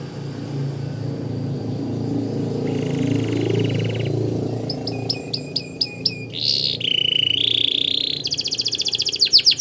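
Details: Belgian canary song for training, heard over steady low background noise: a soft buzzy phrase, then sharp repeated chips, a harsh rolling note and a fast trill toward the end.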